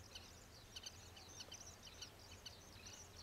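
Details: Common waxbill, an introduced escaped cage bird, foraging at a wetland by an old railway bridge in Taiwan on 9 June 2023, giving thin high chips and short twittering bursts, several a second, over a low steady hum.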